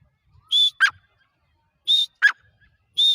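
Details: Grey francolin giving paired notes: a clear high whistle then a short rasping lower note, repeated roughly every one and a half seconds in a quiet setting.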